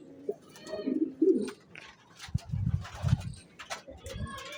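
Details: Racing pigeon cooing in short throaty bursts early on, followed by deeper thumping low sounds and scattered sharp clicks.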